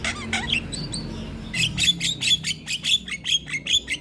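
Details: Javan myna in full, noisy song: a few squeaky whistles open the phrase, then harsh chack notes repeat about two and a half times per second, each with a whistled overtone.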